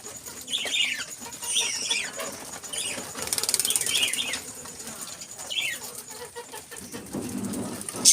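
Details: Budgerigars (Melopsittacus undulatus) at a breeding farm give short, warbling chirps in quick bursts over a steady high hiss.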